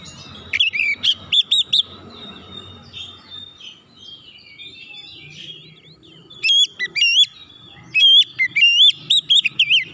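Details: Oriental magpie-robin lure song used to coax untrained birds into singing: bursts of sharp, bright whistled notes around one and eight seconds, separated by a quieter stretch of faint twittering.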